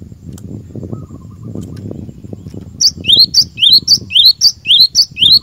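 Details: Cinereous tit singing vigorously, used to train caged birds: after a low rumbling background, a run of about five quick two-note phrases begins, a high sharp note followed by a lower rising whistled slur, repeated twice a second.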